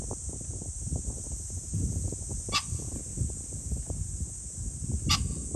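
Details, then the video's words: A pheasant gives two abrupt, harsh calls about two and a half seconds apart, 21 July 2024, with low-pitched rumbling noise and a steady high hiss throughout. "pheasant call ,キジ ,꿩"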